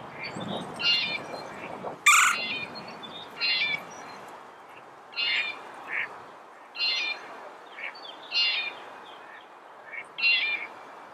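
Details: Red-bellied woodpecker giving short, hoarse, harmonic call notes, repeated about every one and a half seconds, with one sharper, louder note early on and faint background hiss.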